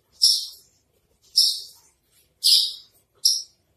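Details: Branjangan trotol, the Javan bush lark, in masteran song: four separate high, harsh buzzy notes, each sharply attacked and fading, spaced about a second apart.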